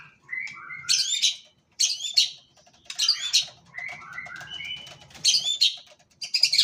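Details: White-rumped shama singing in the champion "nyosor macul macul" style: bursts of very high, sharp, crackling notes alternate with lower slurred whistles. The song repeats in quick phrases about every second, with brief silent gaps between them.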